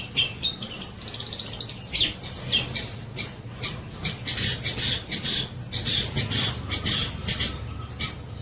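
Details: Long-tailed shrike singing vigorously, a rapid series of harsh, scratchy high notes and squawks in short bursts, repeated throughout with little pause.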